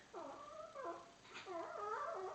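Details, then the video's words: A three-year-old pet Indian Ringneck (Rose-ringed) parakeet, uncaged, talks in two quick, clear phrases of nasal, speech-like syllables, rising and falling like a small human voice, to his new toy monkey, with little else behind. "Indian Ringneck Parrot Talking clearly"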